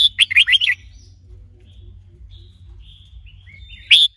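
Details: Red-whiskered bulbul undergoing song training with a female to stimulate the male: a brisk burst of bubbly warbled notes, faint thin whistles in the pause, and one bright note at the end.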